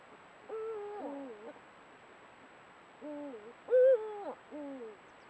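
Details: Pair of Eurasian eagle-owls at golden sunset, caught by a camera trap: a series of harmonic, hoarse calls, each holding steady and then sliding downward, in two bursts of about three calls, one louder than the rest.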